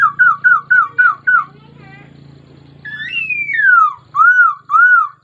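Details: Laughingthrush singing: a run of six short looping whistles, a long falling slurred whistle, then clear arched whistles, over a faint low hum.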